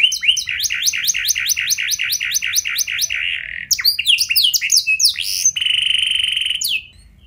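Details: Singing canary meant as a training lure for other canaries, delivering a long run of quick repeated rising chirps, then jumbled sharp whistles and a steady buzzy trill ending abruptly.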